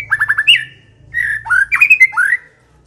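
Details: White-rumped shama song played as a lure to get silent shamas singing, with quick descending chirps followed by a pause, then loud slurred whistles and rising notes.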